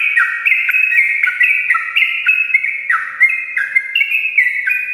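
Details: A sooty-headed bulbul pours out rapid morning song: linked whistled notes in a bouncing, stepwise pattern, delivered nonstop, with a faint steady hum beneath.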